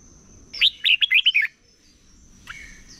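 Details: Red-whiskered bulbul competition song in the morning, for training a wild-caught bird's voice: one crisp phrase of six quick, looping whistled notes, followed by a faint distant chirp.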